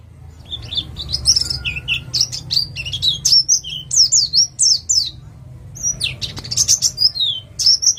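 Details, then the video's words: East Java white-eye, 'ngalas' type, pouring out a lure song meant to prompt other birds: jumbled, high, squeaky twitters and zigzag notes in near-continuous phrases, with one short pause. "Pleci jatim ngalas cocok untuk pancingan bunyi"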